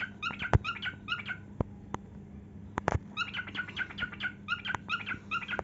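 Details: Pet cockatiel singing while dancing and showing its heart-wings display: a run of short harmonic chirps repeated in quick bursts, broken by sharp clicks and taps, over a steady low electrical hum.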